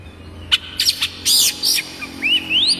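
Oriental magpie-robin singing a quick burst of sharp, high chirps and buzzy notes, ending in bright rising whistles.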